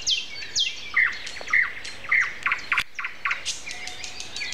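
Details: Common nightingale singing on a Sunday morning, April 29, at 7:55, with other birds around: loud, varied phrases of sharp downslurred whistles and clear repeated notes, separated by short pauses.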